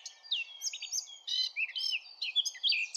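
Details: Eurasian blackcap delivering a dense, quick warble of bright fluty notes and short buzzy trills, phrases tumbling one into the next without pause.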